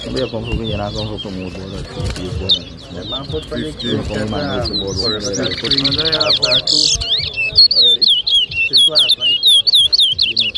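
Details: Chestnut-bellied seed finch (towa towa) at a 2023 bird whistling competition in Rosehall, Guyana: people talk at first, then the bird's quick whistled notes, slurring up and down, grow loud and take over the second half.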